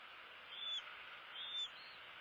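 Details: Bald eagle eaglets at the nest on 16 February 2016, one well fed while the other gets nothing: two short high whistles about a second apart, each ending in a quick drop, over constant broadband hiss.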